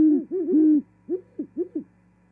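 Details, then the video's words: Great horned owls singing and mating at a Charlo, Montana osprey nest, 18 January 2021; overlapping deep hoots at first, then a quick series of four short, higher, clipped notes. "Arrival Great Horned Owl Female-Singing & Mating"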